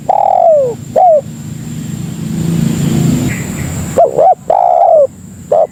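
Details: Spotted dove lure call to attract other doves: a long falling coo and short note, a pause with low rumbling noise, then a further phrase of two short notes, long descending coo and short note.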